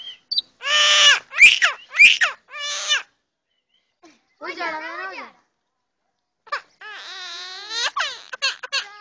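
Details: Common myna talking: loud nasal, harmonic-rich phrases in quick bursts, some rising and sweeping, grouped into three runs split by short silences, with no other clear sounds.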